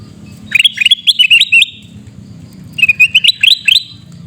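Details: Sooty-headed bulbul recorded in Pidie, Aceh, giving loud screaming calls. Two bursts of quick, bubbly, rising notes run about eight to a burst, with a pause between them.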